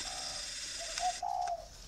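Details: A captive-bred male spotted dove of Thai stock, sex confirmed by pairing with a hen, gives a brief run of soft, low, hollow coos, the last note drawn out, over a steady background hiss.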